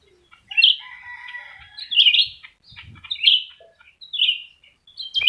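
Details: Pair of black-crested bulbuls pitted against each other, both singing hard; loud fluty whistled phrases recur about once a second, interleaved with thinner chattering notes and faint low knocks.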